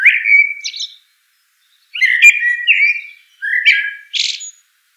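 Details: Eurasian blackbird singing mellow, slurred whistled phrases, one after another, the last ending in a hissy high flourish; no background noise.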